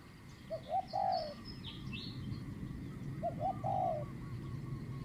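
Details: Spotted dove in a decoy-trapping session, its voice described as middle-pitched: two cooing phrases, each of two or three short rising notes leading into a longer drawn, slightly falling coo. Faint chirps of other birds sound higher above, over a steady low rumble.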